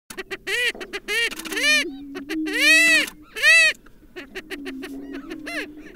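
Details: Great steppe grouse: loud, nasal, harmonic cackling and whooping notes in bursts, some arched and drawn out, over a steady low humming drone, with quieter clucks between.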